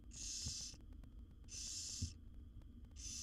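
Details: Begging barn owl nestlings, a wild brood of seven fed by the mother in a nest box, give long hoarse hisses; two full bursts and the start of a third, with soft thumps in the gaps.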